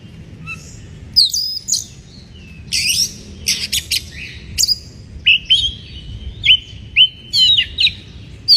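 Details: Singing white-rumped shama, breeding condition, provoking rival birds: harsh broadband bursts then clear sliding whistles and crisp high notes repeated at short intervals over faint low noise.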